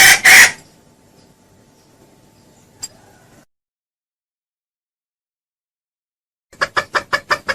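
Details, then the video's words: Junglefowl lure call used for trapping in Indonesia: a short loud harsh double burst, a long quiet gap, then a run of six rapid, sharp, evenly spaced pulses. "SUARA PIKAT AYAM HUTAN JERNIH & KERAS"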